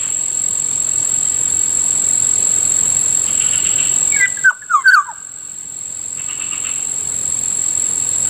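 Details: Kilyawan or black-naped oriole heard near a rice field in the morning: a single brief phrase of bright, slurred whistles falling in pitch, set against a persistent high insect drone.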